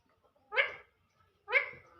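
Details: Talking parrot kept as a pet, speaking in a small indoor room: two short, harsh, voice-like syllables about a second apart, each a bright harmonic burst that fades quickly, over quiet background.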